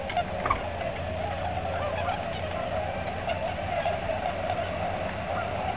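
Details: Tundra swans gathered at Aylmer Wildlife Management Area on their annual spring migration, March 15, 2009, an unbroken wall of crooning honks from many birds, with a few louder calls standing out early on.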